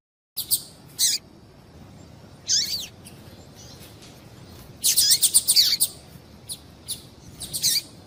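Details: High chirping calls from a female double-collared seedeater, used to stimulate male song: isolated thin notes, a descending slurred call, then a dense burst of falling chirps and a few trailing notes.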